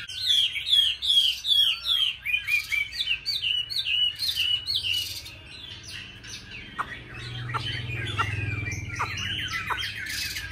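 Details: Oriental magpie-robin at a bird-food seller's home in Hanoi, Vietnam, singing in contest with bulbuls, laughingthrushes and doves: rapid run of whistled, swooping high notes about twice a second. Later, sharp downward strokes and other birds chatter beneath.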